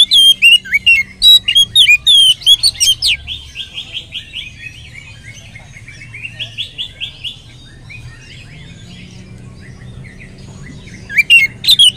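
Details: Oriental magpie-robin song used as a lure to get other magpie-robins singing: loud bursts of sharp, high whistles and slurred notes open and close the passage, with a softer stretch of rapid buzzy trills between, over a low steady hum.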